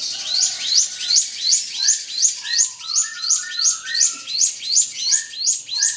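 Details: Drongo song meant to provoke a rival: rapid rising whistled upsweeps repeated about three times a second, with lower short warbled notes beneath and a faint background hum.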